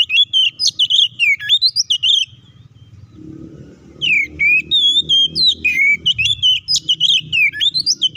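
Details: White-rumped shama delivering a loud 'ngeplong tarung konslet' fighting song meant to provoke other shamas: rapid, varied whistled and chattering phrases, rising and falling, with a short pause midway before the bursts resume.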